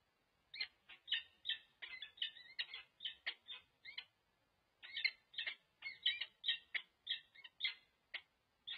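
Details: Pair of wild peregrine falcons at UC Berkeley, November 2023, bonding yet alert to intruders: two bouts of quick, raspy chip calls in steady series, separated by a short pause.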